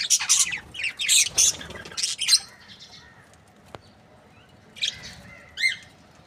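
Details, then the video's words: Happy budgerigars give a few loud scratchy chirp bursts early on, then quieter scattered squeaks and a short whistled note after a pause. "Happy budgies chirping sound"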